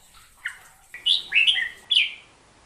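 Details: Hook-billed bulbul delivering a short sequence of bright, downward-slurred whistles: one soft note, then three loud falling phrases in quick succession. Faint background noise runs throughout.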